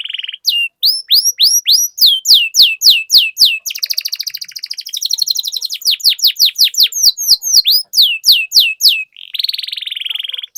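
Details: Canary lure song meant to get other canaries singing steadily with long rolls: fast high trills and repeated downslurred whistled notes, about three or four a second, with a buzzy rolling stretch in the middle and a sustained trill at the end.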